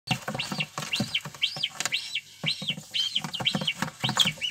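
Guineafowl keets give high, arched peeps that rise and fall, about two each second. Soft low thumps and shuffling sound underneath.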